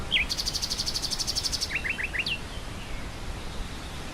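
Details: Nightingale song over grassland wind: a twisting whistle, a long rapid trill of repeated high notes, then four quick upswept notes and a falling slur, with wind noise beneath.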